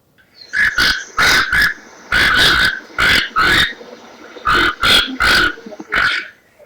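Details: A Toco toucan gives harsh, rasping croaks in short bursts, mostly in pairs or threes, about nine notes in six seconds.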